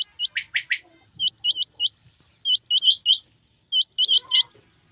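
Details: Quail pair, male and female, in the rain: clear upturned whistles in groups of two to four, repeated at regular intervals, some lower rasping notes at the start.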